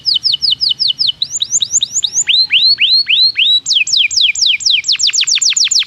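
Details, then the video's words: Canary song used as a lure to get other canaries singing: high, clear downslurred syllables repeated about three to four times a second in tours that change pitch and shape every second or so. "PANCINGAN JITU SUARA BURUNG KENARI"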